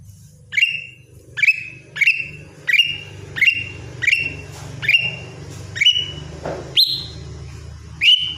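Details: Lesser green leafbird singing a morning routine of about a dozen sharp rising whistles, evenly repeated roughly every two-thirds of a second, each ending in a held ringing note, over a constant low hum.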